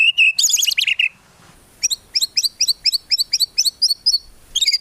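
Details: Murai batu, the white-rumped shama, singing vigorously with luxurious 'tembakan' fill phrases and no 'ngukluk' notes: loud harsh chattering opens, a short pause follows, then a crisp series of quick repeated sharp chirps at steady pace.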